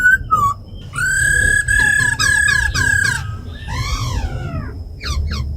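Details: Captive laughingthrushes, female ro khẹt calls with a tame black laughingthrush forest voice song; short whistles, then four long steady harmonic notes, an arching squawk and brief chips over low background rumble.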